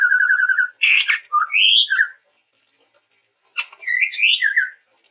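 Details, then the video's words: Male chestnut-rumped babbler of Sumatran forest: a fast trilled whistle on one pitch, then rising and falling slurred phrases, a pause, and a second burst of chattering upswept whistles. "suara burung tepus tunggir merah gacor"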